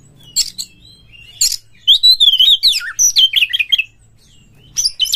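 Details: Oriental magpie-robin (Copsychus saularis), song: lure to stir other magpie-robins into singing.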